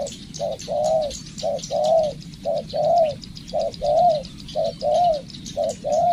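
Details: Spotted dove being trained as a decoy bird, cooing in a steady rhythm: a short low note followed by a longer rounded coo, repeated about once a second, with faint high chirping in the background.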